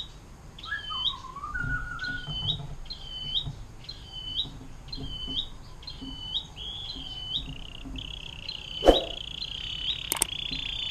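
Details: Atlantic canary, long 'air mancuran' song for tutoring murai batu, cucak ijo and cendet: a falling whistle, then a row of short high chirps leading into a steady buzzy trill, with two sharp clicks.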